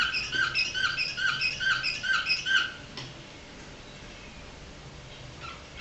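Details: A canary, recorded in 2008, sings a fast series of clear, ringing whistled notes, about two a second, for under three seconds, then falls quiet in a still indoor room.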